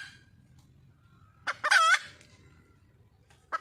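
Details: Wild junglefowl hen seeking a mate gives a couple of clucks leading into one brief, grating squawk, followed by a further lone cluck against soft low background hum.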